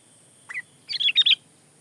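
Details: Sooty-headed bulbul song, a recording meant for tutoring and luring birds: one short note, then a quick bubbly burst of four or so liquid chirps at mid-high pitch, with a faint steady hiss behind.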